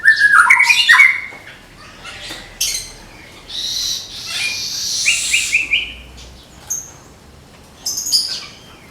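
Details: Caged white-rumped shama of the Murai Medan type, prepared for a songbird contest, singing its shooting song: an opening burst of sharp rising whistles, then scattered high harsh rasping notes and short chips with quiet gaps.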